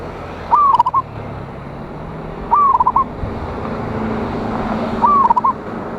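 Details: Lively local zebra dove singing to challenge rivals, recorded 26 January 2025: three fast phrases about every two and a half seconds, a downward-sliding coo then clipped repeated notes, hissing background.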